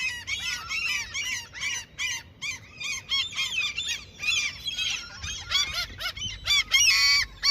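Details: Seagulls in their territory, fed by someone fishing there: loud, rapid harsh squawks in quick irregular succession, several birds calling over one another, the last notes the loudest.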